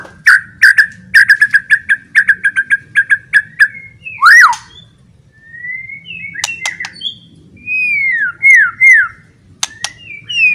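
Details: White-rumped shama giving a loud song that stirs other shamas to fight: a fast run of repeated sharp chipping notes, then a loud rising whistle and sparse slurred whistles with pauses between.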